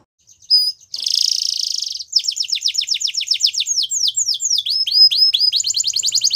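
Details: Belgian canary singing for canary training: a brief buzzy burst, then rapid trills of descending whistled notes repeated in quick runs, shifting into a faster rising-falling series near the end; clean recording with no other sounds.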